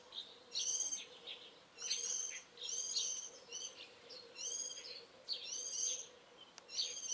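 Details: Early-morning birdsong in mid-April: slurred harmonic phrases repeated about once a second, each a short nasal burst, with a faint steady low hum beneath.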